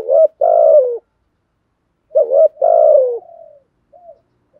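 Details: Spotted dove performing 'thúc' and 'gù' coos: two deep phrases, each a brief wobbling note followed by a drawn-out falling coo. The second trails off into a soft tail and a faint extra note.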